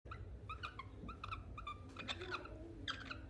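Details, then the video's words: A talking cockatiel chatters in quick, speech-like syllables, a string of short nasal phrases with a few sharper clicks, over a low room hum. "Talking Bird || Cocktail Bird talking"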